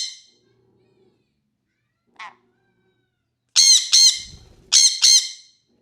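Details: Sun conure screaming: a short harsh cry at the start and a brief squawk midway, then four loud, raspy, rich screams in two closely spaced pairs near the end, with quiet gaps between.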